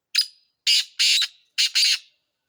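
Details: Black francolin (kala teetar) calling: a brief scratchy opening note, then two longer harsh rasping notes, a short pause, and a final clipped-plus-drawn-out rasping pair, against a silent background.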